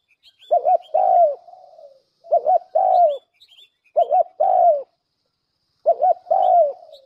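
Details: Four phrases from a spotted dove used as a lure, each a rapid doubled coo and a longer falling croo trailing into a soft hum, with small birds chirping high in the background.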